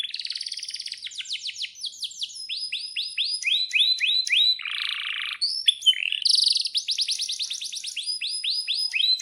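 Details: Singing canary as a lure for young or silent canaries: dense run of sharp slurred chirps, a rough buzzy rattle midway, then renewed rapid whistled notes.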